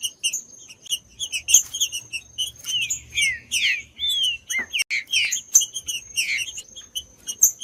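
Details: Green-winged saltator singing, used to warm up cold birds for tournaments: long run of quick high chirps interspersed with rich slurred whistles that dip and rise, busiest after the midpoint.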